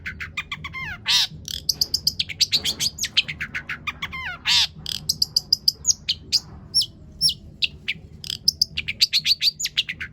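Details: Long-tailed shrike song used as a lure to make other shrikes sing: rapid, varied high chirps, buzzy notes and descending slurred whistles packed densely, with mimicked phrases and steady low background hum.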